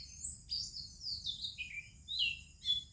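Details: In the morning an Oriental magpie-robin sings among other birds, giving a few separate high, clear whistled phrases, each sliding down in pitch, spaced by short pauses, with a quiet low hum behind.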